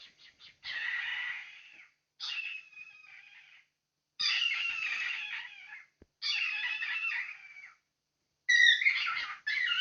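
A cockatiel gives harsh, raspy bursts of chatter, each lasting about a second, with short pauses between.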